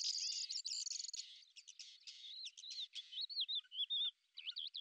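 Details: Lesser grey shrike, a predator of beetles, opens with a harsh buzzy rattle, then switches to clear wavering whistled loops and short twittering notes.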